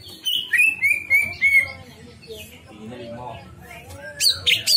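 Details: Greater green leafbird singing a string of clear whistled notes, each sliding downward, repeated in quick succession, then a pause with softer sounds before a burst of sharp, high chirps.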